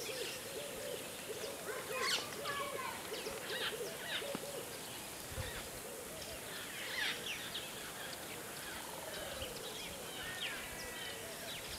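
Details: Hadada ibis (subspecies nilotica) at Lake Langano, Ethiopia, on 11 January 2015, giving a fast run of low, nasal, arched 'haa' notes, pausing and resuming, with higher chirps and whistles from other birds behind.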